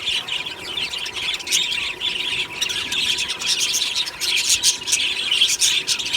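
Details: Aviary budgerigars chirping and singing on a happy morning: a bright, high chatter of many voices with scattered squeaks and whistled notes, rising slightly in loudness toward the end.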